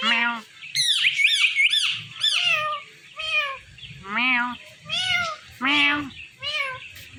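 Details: Indian ringneck parakeet talking on a Thursday night: repeated nasal, word-like syllables, some arching and some buzzy, spoken roughly once a second in a steady, chattering rhythm.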